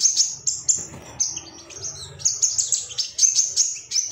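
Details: Male Ruby-cheeked sunbird, agitated and calling for rivals, in a training recording for song birds: high-pitched, slightly buzzy chirps in short bursts separated by brief gaps, becoming denser and faster toward the end.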